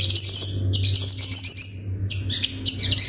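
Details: Masteran-style sunbird song with dense, sharp, high-pitched twittering bursts and quick chirped trills in several runs separated by short gaps, with a low background hum.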